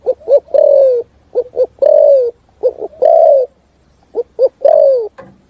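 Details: Spotted dove delivering a complete 'thúc gù' style song that resonates in forest: deep, soft coos in clipped pairs, each group ending in a longer falling note, three phrases clearly spaced.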